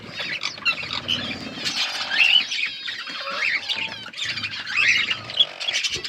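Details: Colony of budgerigars with growing chicks: rolling warbles and squawky chirps from many birds, with low background rumble.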